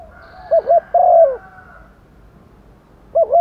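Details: Decoy female spotted dove gives a rainy-season call to males: two wavering coos and a long falling croo, then the next phrase begins. A faint steady tone and a high thin trill sound behind it.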